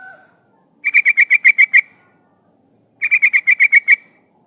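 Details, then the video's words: Female sooty-headed bulbul calling a male, used as a lure for catching wild birds: two evenly paced bursts of seven or eight buzzy, chattering notes about two seconds apart, in clear quiet surroundings. "SUARA burung trucukan gacor memanggil lawan pancingan trucukan betina memanggil jantan"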